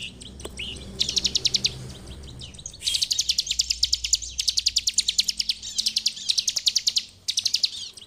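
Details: Bar-winged prinia singing in full, continuous ngebren style, used as a master song for training: long runs of rapid, sharp high chips at about eight per second, broken into bursts with brief pauses, one opening rising whistle.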